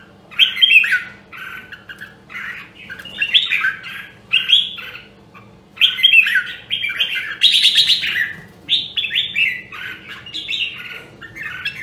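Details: Red-whiskered bulbul from Nam Đông, Huế, Vietnam, a rare voice used to train other birds toward competitive fighting song: bursts of bright warbled and whistled phrases, tumbling up and down, in quick runs with short pauses, over a faint low hum.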